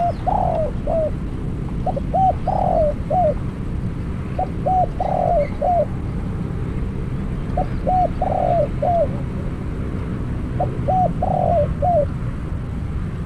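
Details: Caged spotted dove used as a decoy bird for trapping, taking its first capture. It repeats a phrase of short clipped notes, a longer rolled coo and a falling final note, every few seconds over a steady low rumble.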